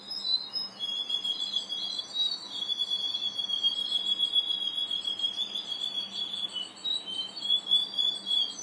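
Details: Russian or Ukrainian canary just beginning to sing: a soft, continuous high rolling trill that wavers slightly in pitch, heard faintly over steady background hiss.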